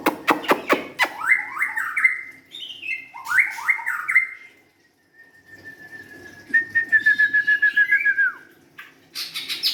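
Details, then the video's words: White-rumped shama opening with a fast series of dry clicks. Rolling whistled phrases follow, then a long level whistle and a rapid, trilling string of notes that sweeps downward at the close. "kicauan murai batu"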